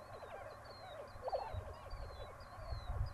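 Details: Lesser prairie chickens calling at first light near Buffalo, Oklahoma: a stream of short clucking notes with one louder cackle in the middle, thin high whistles from other birds above, and wind rumble below.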